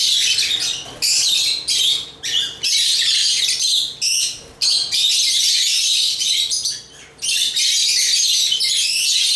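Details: Several bursts of shrill chirping from African lovebirds, high rasping squeaks and twitters in phrases of one to two seconds separated by short quiet breaks.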